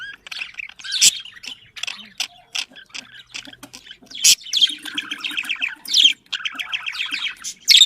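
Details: Domestic budgerigars chattering in a breeding-stimulation sound; a continuous medley of twittering, buzzy trills and short whistles, with sharp squawks at intervals and a low murmuring trill midway.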